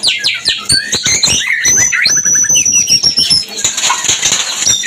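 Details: White-rumped shama mating song aimed at bringing other shamas into breeding condition. Quick clicks and varied slurred notes, a short rapid trill, a long high thin whistle, then hissy broadband rustling.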